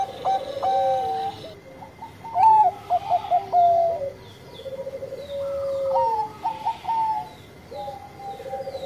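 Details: Bangkok zebra dove singing steadily and sweetly. Gentle level coos lead into bursts of rapid, bouncing notes and then trail off in drawn-out falling tones, with the pattern repeating twice.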